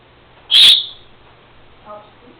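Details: A female Senegal parrot kept as a pet copies her owner's sneeze. One loud, hissing, sneeze-like burst is followed by a short, soft, tonal sound a second later in a quiet room.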